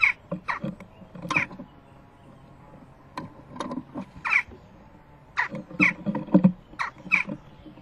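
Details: Western jackdaw fledgling at a nest box on the morning of 12 June 2015, begging from both parents arriving with food as it prepares to fledge. Short, harsh, rasping calls come in irregular clusters over a steady low hum.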